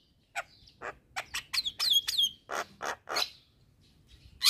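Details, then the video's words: Javan myna singing vigorously to provoke neighbours: separate harsh squawks and a cluster of sharp descending whistles, with short quiet gaps between the phrases. "Burung Jalak Kebo Gacor Parah Bikin Emosi Jalak Tetangga"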